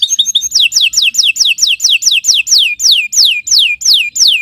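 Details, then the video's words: Canary (kenari) in morning gacor singing meant for tutoring: a steady series of loud, slurred whistles that sweep downward, repeated roughly three times a second. "Kicau Burung Kenari 144 II LUAR BIASA GACOR PANJANG"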